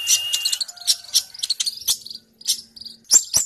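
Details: Sunbird in a fighting mood, singing hard, used as training material for other songbirds: thin, high twitters and buzzy trills in uneven bursts, with a short steady tone near the start and a few sharp clicks.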